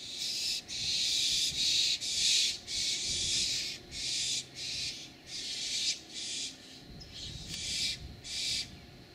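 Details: Barn owl family in San Rafael, California, before dawn on June 3, 2012, gives harsh, breathy hisses, each about half a second long, in a steady rasping series of about a dozen bursts; little else heard.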